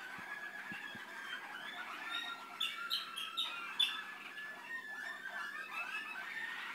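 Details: Malinois canary recorded in 2013, singing quietly: a continuous run of soft rolling and bubbling phrases with short whistled slides, fairly faint against steady room hiss, plus a few low knocks at the start.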